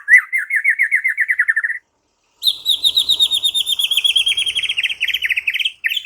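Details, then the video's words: Energetic white-rumped shama song in two rapid trills: the first mid-pitched and pulsing about four times a second, the second higher, longer and steadily repeated. "Seketika murai batu NYAUT GACOR dan BONGKAR Muatan dengan Kicau murai ini"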